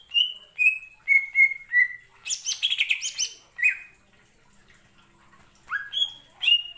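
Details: Greater green leafbird song used as a lure to provoke other birds to sing: clear whistled notes sliding down, then a burst of buzzy chattering phrases, a pause, and rising whistles again.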